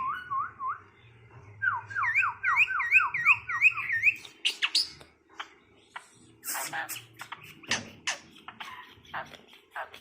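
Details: A talkative, tame Asian pied starling repeats quick zigzag whistled notes, first low and then higher. These are followed by harsh, scratchy bursts and clicks mixed with faint background noise.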